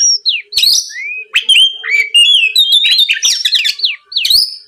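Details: Lure song of an Oriental magpie-robin (kacer), played to stir rival birds into calling: rapid rich phrases of rising and descending whistles, warbled notes and harsh chips running nearly continuously.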